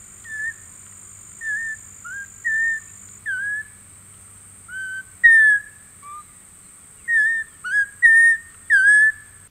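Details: Audubon's oriole (Icterus graduacauda) song: slow, hesitant, separate slurred whistled phrases at a steady mid pitch, sounding like a human idly whistling, over a faint steady high hiss.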